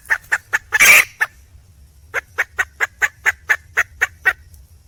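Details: Female red junglefowl calling for a male. A few quick clucks lead into a loud, rough squawk, then after a pause a regular sequence of crisp clucking notes.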